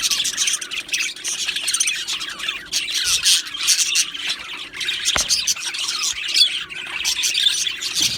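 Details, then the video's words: Budgies chattering in a colony aviary: constant high-pitched twittering mixed with harsh squawks, the many voices rising and falling in bursts, one sharp click partway through, a low steady hum in the background. "Australian parrot Chirping Sounds | Australian Budgies Parrot Singing Video"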